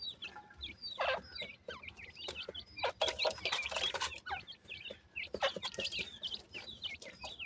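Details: A group of black francolin chicks, named dakhni and sindhi teetar, feeding and playing; many high squeaky chirps, often downward-slurred, pour out continuously between bursts of sharp pecking clicks and scratchy rustles.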